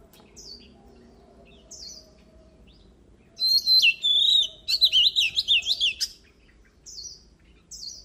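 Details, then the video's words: Oriental magpie-robin giving short isolated whistled notes, then a loud burst of steady whistles and quick zigzag warbling, ending with single high chips. "Luyện giọng chòe than HÓT HAY || Kích chòe than hót căng lửa || Suara Burung Kacer Gacor"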